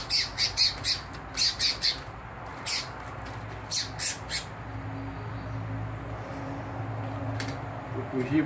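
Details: Two captive double-collared seedeaters at a breeder's aviary, Sunday 12 March 2023 at 2 pm near season's end, give a burst of harsh, scratchy calls about three a second, then a few thin, high chirps; room hum and faint voices behind.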